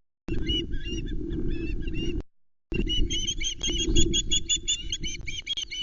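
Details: Loch Arkaig osprey nest on 19 July 2020, three chicks present as a trout is delivered and fought over: rapid strings of sharp, piping whistled notes, broken by a short gap, with steady low wind noise beneath.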